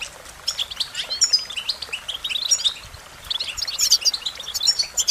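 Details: American goldfinch song: a rapid run of high, bright twittering notes with thin whistled slurs, bursts swelling and fading over five seconds, quieter in the middle before a dense, sparkling finish.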